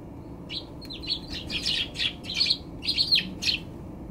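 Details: Eurasian tree sparrows on a balcony on 30 December 2020, while a bulbul attacks them, give a busy run of short, high chirps, several birds overlapping in quick bursts over a low background hum.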